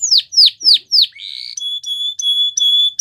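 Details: Canary training song: four loud downward-sweeping whistles about a quarter second apart, then a buzzy note and repeated flat whistled tones.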